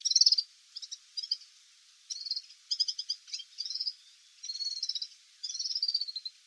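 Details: Male Atlantic canary singing scattered high trills and rolling phrases over a steady background hiss.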